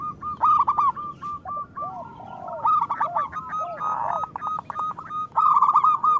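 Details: Local zebra doves singing in a group, used as a lure for doves that rarely sing: dense, rapid bubbling coo phrases with low arching coos woven between them.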